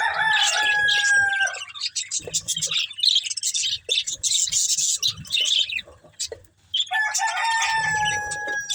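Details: Several budgies eating green food chirp and warble in quick, irregular bursts of high scratchy notes with some whistled tones, briefly pausing before the chatter resumes; faint knocking sounds underneath.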